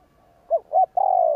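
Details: One phrase of spotted dove 'gù kích' cooing, used to excite wild doves: two short separate notes, then a sustained, slowly falling coo, clean and close.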